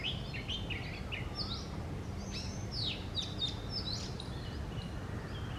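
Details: An Oriental magpie-robin sings in a tree in the morning: scattered whistled notes, quick sweeping slurs and a few buzzy phrases, with strong low-pitched background rumble throughout.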